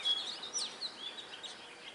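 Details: Wild Oriental magpie-robin in song outdoors, a quick run of sharp high chirps and short slurred whistles, loudest at the start and fading, against a faint hiss of background noise.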